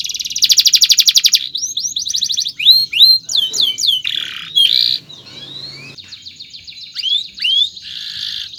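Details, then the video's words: Long chirping canary song used to train other birds, opening with a loud rapid rattle, then upslurred and downslurred whistles, a buzzy passage and softer scattered chirps toward the close. "SUARA BURUNG KENARI⁉️ Cuit cuit Panjang COCOK untuk Masteran PAUd"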